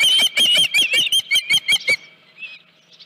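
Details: Osprey at the Dunrovin Ranch nest on 31 July 2018, 9:43 AM, headless fish delivered: a quick burst of about ten loud, shrill whistled chirps over two seconds, then faint trailing squeaks.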